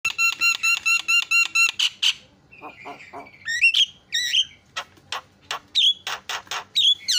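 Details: Javan myna (jalak kebo), a vocal master bird with loud song: a fast run of about eight harsh repeated notes, then squawks, whistled upslurs and rasping bursts in varied sequence.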